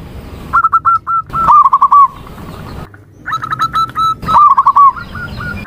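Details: Zebra dove calling in two phrases: short separate cooing notes leading into fast rattled trills, with clicking noises and steady background rumble between them.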